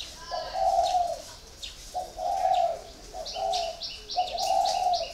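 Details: A spotted dove four years in a cage sings low, drawn-out coos about once a second, each a short lead note and a longer hoot, joined toward the end by bright, rapid chirps from another bird.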